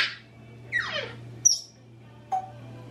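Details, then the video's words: Pet parrots left alone indoors, an African grey aged 26 and a Quaker parrot aged 16: a harsh burst, a falling whistle, a high thin beep and a short clipped note, over a low hum. "When Parrots Are Left Alone"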